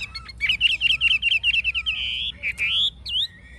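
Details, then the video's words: Old wild-caught Chinese hwamei, a caged bird with a true forest-style voice: a fast run of bright whistled notes repeated about every tenth of a second, then a long sustained whistle and rising slurred notes. "Họa mi già rừng chuẩn giọng rừng hay đuôi lá vả"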